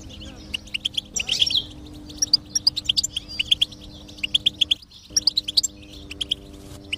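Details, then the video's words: Goldfinch song played to stimulate a silent caged goldfinch to sing: quick, high twittering chirps and trills in bright bursts, with brief pauses and a steady low hum underneath. "is Your Goldfinch Silent? Give it this stimulation and see the difference"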